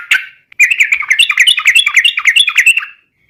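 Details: Rapid rollicking 'ropel' chatter from a yellow-vented bulbul, a 'gacor garuda' lure meant to prompt other birds to answer. One opening chirp, then a dense run of bouncing, warbled notes lasting over two seconds.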